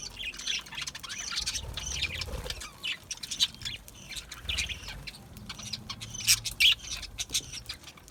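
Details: Several budgies in an aviary keep up a steady stream of high chirps and chattering warbles, with a couple of sharp louder squeaks late on and a soft low hum underneath.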